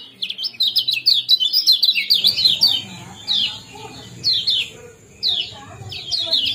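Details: Kecial kuning 'ciak jos' calling meant to bring birds into breeding condition: a fast burst of bright falling chirps, then single emphatic downslurred phrases roughly every second, with a faint steady high whine.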